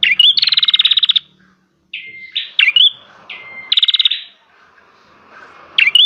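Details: Bar-winged prinia (cimblek) in lively song: short rising notes alternate with fast, rattling buzzy trills, separated by brief pauses, over a soft low hum.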